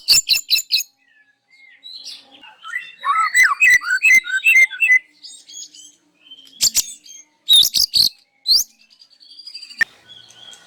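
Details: White-rumped shama singing loudly in the morning and showing off its full repertoire. Sharp clicks and whistles give way to a run of varied rich warbled phrases, then scattered high whistles, rising notes and quiet pauses.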